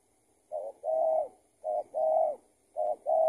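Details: Escaped tethered spotted dove answering during a decoy trapping session; three phrases of a brief double-noted coo leading into a long, even, hollow coo, spaced a little over a second apart.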